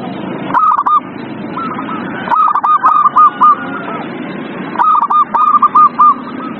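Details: Zebra dove song played to coax a quiet dove to sing: three clusters of fast, clipped, bright notes about every two seconds, some ending in a short trill, over faint background hiss.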